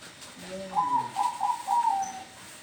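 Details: Zebra dove in a house yard: soft low coo followed by a run of fluttering, trilled cooing notes lasting about a second and a half.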